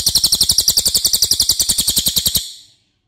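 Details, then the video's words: Cililin (racket-tailed treepie) song used as a training recording for other songbirds: a loud, rapid, evenly repeated series of high metallic notes lasting over two seconds, then abrupt silence. "MASTERAN CILILIN OKE BANGET"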